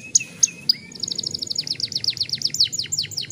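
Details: Young canary giving a long rolling song, used as a lure to get other young canaries singing: a few separate high chirps, then a rapid run of evenly repeated downslurred notes that keeps rolling to the end.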